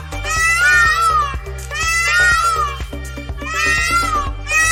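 A peacock gives three loud, nasal, wailing screams about every one and a half seconds, each slightly falling, over steady background music.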